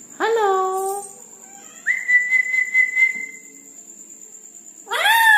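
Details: At night a red-breasted parakeet opens with a rising harmonic squawk, then holds a long, level whistled note for nearly two seconds, and ends with another loud, layered squawk; a faint steady high tone runs throughout.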